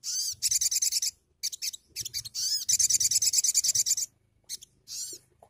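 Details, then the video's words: A sunbird sings very high, thin, buzzy trills in quick bursts of about six or seven scratchy notes each, with short pauses between phrases. "BUNYI SOGON"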